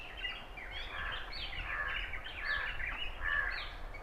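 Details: Oriental magpie-robin singing at Punnad, Iritty, recorded on a Nikon Coolpix B600: a run of varied whistled phrases, sliding up and down, delivered continuously over a low rumble of background noise.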